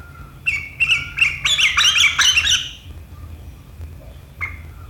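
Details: Sooty-headed bulbul in sharp, prolific riwikan chattering, recorded 7 April 2023; a burst of rapid, bright, scratchy notes runs for about two and a half seconds, then one short note after a pause.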